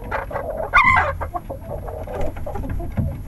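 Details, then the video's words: Chickens going to roost at night in a coop; a loud, harsh squawk stands out among continuous soft clucking and chattering from the flock. "Chickens Going to Bed, Relaxing Chicken Coop Noises"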